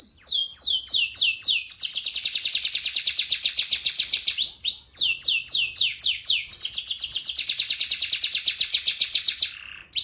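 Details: Lively rolling canary song, played as a lure to set silent canaries singing: it opens with quick downward-slurred notes, then a long, buzzy, fast trill, a brief break near midway, and the pattern returns before a closing falling note.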